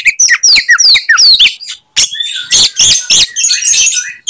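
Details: Fighting song of an Oriental magpie-robin, aimed at provoking rival magpie-robins: a fast run of sweeping whistled slurs, a short pause, then loud raspy chattering bursts.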